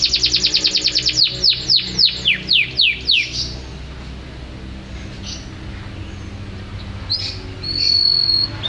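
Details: Champion canary singing with energy (gacor): a rapid trill of repeated notes slows into a series of descending slurred notes, followed by a quiet gap, then soft chirps and a steady high whistle.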